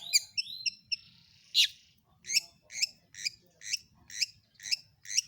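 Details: Lure song of a long-tailed shrike meant to set other shrikes singing: a few quick rising whistles, one loud harsh burst, then an even run of crisp high chattering notes about twice a second.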